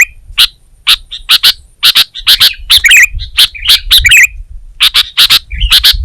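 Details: Kutilang, or sooty-headed bulbul, in gacor song: spaced sharp high notes, often in pairs, with clusters of bubbling slurred warbles mid-clip.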